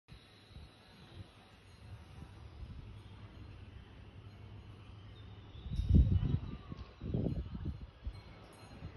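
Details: Low outdoor rumble with soft rustling and a few dull thumps near the end, and no calls from any animal.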